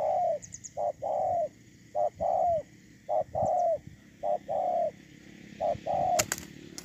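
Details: Ground decoy spotted dove dated 8/10/2018 giving soft, hollow coos in paired short-then-long phrases, repeated at an even rhythm, with faint distant high chirps and a sharp click near the end.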